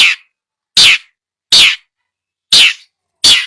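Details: Long-tailed shrike training recording, made to coax a bird that has stopped singing: five harsh, rasping, bright bursts, each under half a second, repeated about every three quarters of a second with silence between.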